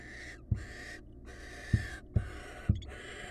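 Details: Wild barn owl hissing while bonding with its mate: long breathy rasps broken by brief gaps, with several sharp knocks and thumps of movement close by, low hum beneath.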